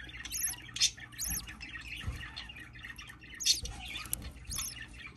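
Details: Baby budgerigar at hatching, heard indoors: harsh, high squawking calls with stacked overtones, given in short bursts about every second, with quiet pauses between them and a faint low hum in the background.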